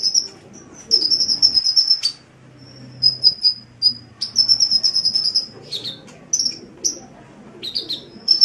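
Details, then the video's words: Sunbird (kolibri) in full song for Indonesian songbird training: long sustained high trills broken by short pauses, sharp upward flicks and sweeping notes, with a soft low hum in places. "Suara Burung Kolibri"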